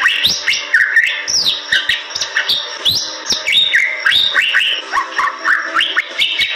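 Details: Bali myna in vigorous gacor singing style, pouring out loud whistled notes that sweep up and down, with sharp clicks and a faint steady hum beneath.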